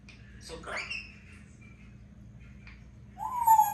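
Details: A pet African grey parrot speaks its own name in a room. Brief, raspy speech-like sounds come early, then a quiet gap, then a clear rising whistle at the end over a constant low background hum.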